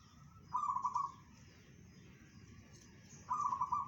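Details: Bedah karang song from a local zebra dove, claimed to travel 500 metres: a pair of quick trilled coo bursts nearly three seconds apart against a quiet, low hum.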